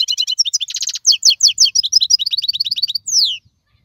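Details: Wild European goldfinch singing during the 2022 season: a fast, dense run of high twittering notes, trilled buzzy bursts and short repeated chips, ending with a loud descending slurred whistle; no other sounds.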